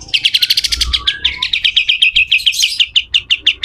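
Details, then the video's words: Pied triller singing in the harsh besetan kasar style, recorded as a master track for training other birds: dense stuttering run of high notes that gradually slows into spaced, clipped chips. "SUARA KASAR‼️katem gacor dor, masteran burung"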